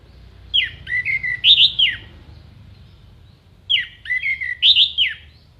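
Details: Orange-headed thrush singing a long, clear mimicry phrase for training contest songbirds, a falling whistle, chattering notes and a loud sharp burst, the whole phrase repeated after about three seconds over low hum.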